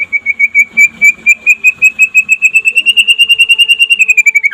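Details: Daytime singing of a white-rumped shama of the pastol type, used to prompt other shamas to sing: a steady, rapid string of clear whistled notes, slowly rising then falling, for about four and a half seconds.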